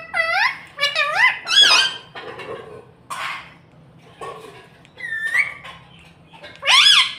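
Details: Pet talking rose-ringed parakeet in a small room, said to speak mummy, papa and mitthu: several looping, nasal harmonic phrases with wobbling pitch, separated by softer muffled syllables and short gaps.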